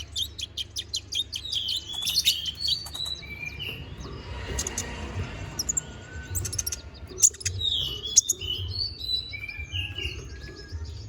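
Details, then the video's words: Konin bird singing a varied training song for magpie-robins: bright whistled slurs and quick chirps, some rising and some falling, in irregular bursts over a steady low background hum. "MASTERAN BURUNG KONIN GACOR NGOBRA FULL ISIAN!"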